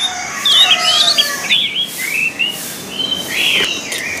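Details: Orange-headed thrush training song for kept birds. A jumbled warbling burst opens, followed by separate short whistled slurs and a louder rising-falling whistle near the end.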